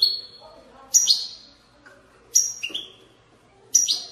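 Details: European goldfinch giving batbata-style notes, played to stimulate goldfinches to sing: bright, high chirps sweeping downward, in short bursts about every one and a half seconds, with quiet gaps and faint low murmuring between.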